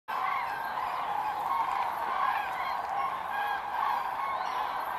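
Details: Common cranes gathering in large numbers at an autumn roost at the Milicz Ponds, Poland, in September 2023: a dense, continuous chorus of overlapping trumpeting calls, with no pauses and no other clear sounds.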